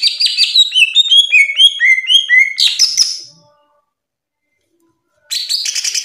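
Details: Cucak ijo singing in full ngeplong gacor style: a run of clear whistled notes stepping steadily downward, a burst of brighter notes, a pause of silence, then the song resumes.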